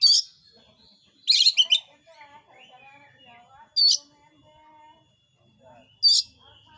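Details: Oriental magpie-robin, or kacer, recording used to provoke other magpie-robins into singing. Loud harsh buzzy bursts come four times at irregular gaps, with soft quieter whistled phrases running underneath between them.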